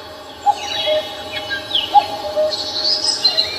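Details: Wild birds singing on Namsan Mountain in Seoul: two short, clear whistled notes about a second and a half apart, then thin, high chirps and trills near the end, over a steady background hiss.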